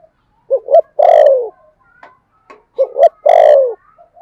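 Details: Decoy spotted dove with the 'thổ' voice style, used to lure birds: two phrases, each two short rising coos followed by a long, low, falling coo, with faint soft notes between them.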